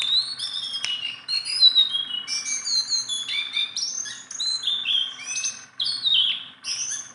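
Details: Nonstop song of a tame, handleable Sunda bulbul: cascades of short, high descending whistles and chirps in lively bursts, with brief lulls between phrases.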